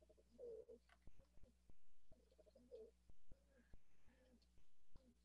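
Rock Pigeon giving low, muffled, throaty coos in short rolling phrases, sounding swallowed rather than clear, over a low hum and several sharp clicks.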